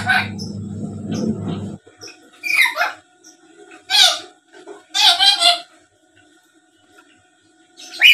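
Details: Black-capped lory, a chattering, talking bird kept as a lure for other birds: a low humming or voice-like murmur at first, then three loud, raspy, warbling calls spaced about a second apart, ending with a short squawk.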